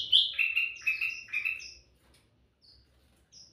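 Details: Sooty-headed bulbul singing vigorously, a recording meant for luring birds: a bubbly run of loud, slurred, rising-and-falling notes, then quiet with a few thin high notes.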